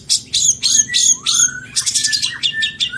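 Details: Lavish long-tailed shrike fill-in song for tutoring cage birds: dense bursts of high buzzy chatter mixed with short falling whistles, then a quicker run of clipped scratchy notes.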